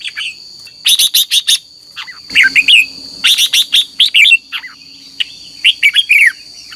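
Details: Lure recording of a red-whiskered bulbul in morning contest song for training caged birds: a steady stream of sharp chirps and slurred, rising and falling whistles in quick bursts, with a constant high ringing hum behind.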